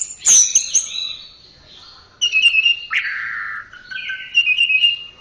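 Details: Orange-headed thrush singing, an Indonesian tutor recording for pet songbirds: an opening burst of high notes, then long sustained whistles and a downward-sliding phrase separated by brief pauses.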